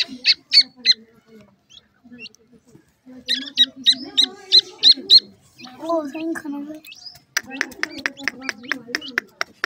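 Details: Feeding grey francolin chicks give bursts of rapid, high, piercing peeps, five to six in a quick run, then pauses and a fast series of sharp chirps. Low voice-like murmurs run underneath.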